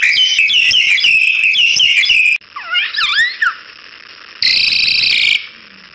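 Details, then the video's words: Crested myna singing for a training recording for other songbirds: a fast, scratchy, high-pitched jumble of notes, then a few rising and falling whistled slurs and a brief harsh buzzy burst. "Jalak Hongkong Super Gacor Untuk Masteran"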